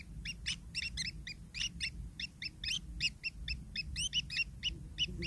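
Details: Long-tailed shrike young being fed by a parent give a fast string of short, hoarse two-toned chirps, steady and insistent, with a faint low background rumble.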